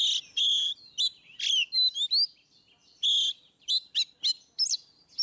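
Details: Oriental magpie-robin ngeplong song aimed at prompting quiet birds: loud buzzy notes alternating with clear rising whistles, delivered in short rapid phrases with brief pauses.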